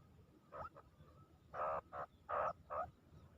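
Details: Grey francolin, desi teetar, a call used by hunters to lure francolins: four loud harsh bursts in quick succession after two fainter ones, over a low rumbling background.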